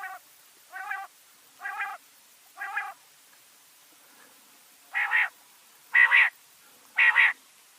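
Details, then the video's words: Doghla batair quail, 2020 recording: a series of nasal, buzzy, harmonic notes about a second apart. The first four are lower and softer. After a pause come three louder, brighter notes. No other sounds are clear. "DOGHLE BATAIR KI AWAZ"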